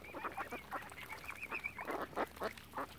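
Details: Ducks surrounding swans on Lough Neagh at Oxford Island, Ireland: rough nasal quacks mixed with a continuous wavering whistled line, many birds calling together at close range.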